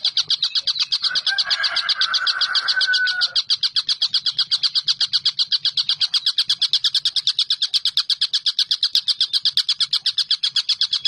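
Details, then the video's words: Collared kingfisher in continuous, long-duration calling: quick repeated harsh notes run throughout, while a lower, smooth whistled tone rises beneath them for the first few seconds and then fades. "TENGKEK BUTO GACOR"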